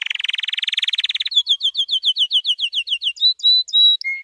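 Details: White canary singing a training song: a fast rattling trill, then a series of down-slurred whistled notes, followed by slower clear whistles and a lower final note.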